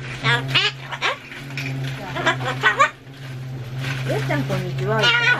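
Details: Solomons cockatoo kept as a pet, talking loudly against renovation sounds: bursts of throaty, speech-like syllables with bending pitch, separated by short pauses, with a steady low hum throughout.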